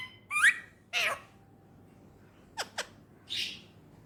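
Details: Male ringneck parakeet kept indoors as a talking pet bird, Pakistan: two harsh, raspy squawks, then two quick sharp downward chips and a final hoarse screech, with quiet room gaps between them.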